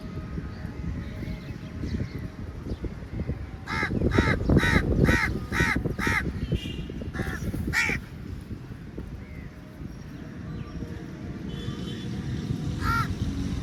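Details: Crows gathered in a big flock at feeding time; a quick run of loud, harsh caws, about two a second, bursts out midway, then fades to scattered calls over steady low background noise.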